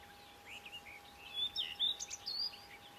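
Common redstart giving soft, slurred notes, then a quick run of higher, thin, scratchy twitters over about two seconds, with a steady faint hum behind.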